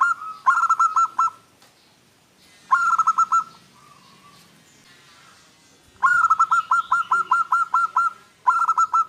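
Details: Local zebra dove singing in the anggungan style, a song said to provoke birds of the opposite sex into calling back; rapid bursts of pulsed, hollow cooing notes in four groups separated by short pauses, with faint background hiss.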